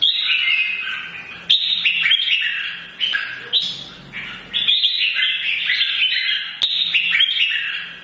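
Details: Red-whiskered bulbul, old and wild-caught, giving morning song that urges other birds to fight: loud bursts of fluty, slurred whistles recurring every one to two seconds, each trailing off softer.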